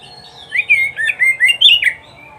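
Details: Oriental magpie-robin song recorded for training pet birds to sing: a loud run of whistled, slurred phrases between 2 and 4k, rising and falling, over about one and a half seconds, with a faint steady hum below.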